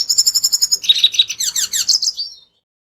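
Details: Red siskin lure song: a quick series of evenly repeated high chips, then a brief whistled phrase and descending buzzy twitters, ending abruptly in silence.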